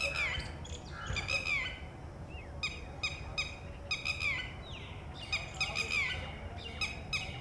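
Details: Female red-wattled lapwing, at a distance from its ground nest where one of four eggs has just hatched, gives loud, shrill, repeated alarm calls, harsh upward-inflected notes in quick bursts, apparently warning the chick of predators; low background rumble.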